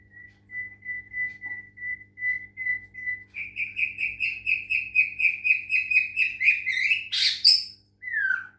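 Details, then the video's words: White-rumped shama of the Medan type, singing during a water-sound therapy meant to make it sing: a steady run of clear whistled notes repeated about twice a second, then a faster, higher rising series ending in a harsh burst and a falling whistle. "murai batu medan, terapi suara air lansung gacor"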